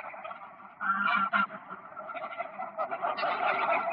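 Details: Greylag geese on the ponds of Park Poleski, autumn 2024: quieter gabbling at first, then a sudden loud burst of harsh honks, followed by dense, overlapping flock calls.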